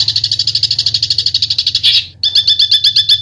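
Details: Fast, even, high trill of sharp repeated notes typical of besetan singing, broken by a brief pause, then a slower run of clipped chirps; faint low hum beneath.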